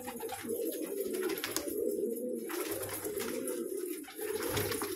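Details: Colourful pet pigeons coo in a thick, steady murmur, with long low rolling phrases overlapping and a brief lull near the end before the cooing swells again.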